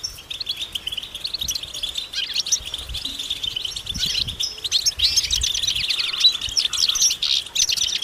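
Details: European goldfinches calling as a group in the countryside, mating calls to stimulate males: lively high twittering and rapid buzzy trills, growing busier and louder toward the end, with faint low rumbles.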